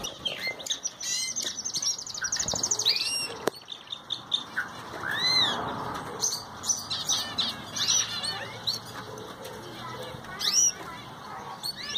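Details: Ocellated thrasher song of mixed rapid trills, arched whistled slurs and chipping notes, loud at the start, then broken into separated phrases with short gaps, over a faint rushing background.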